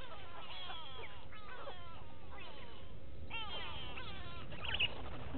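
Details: Wild go-away birds calling at a waterhole, Gowrie dam, Djuma Game Reserve in South Africa's Sabi Sand Wildtuin, 06/06/18, from a fixed live camera; repeated harsh, nasal, wavy calls come in bursts about every second over a constant low hum.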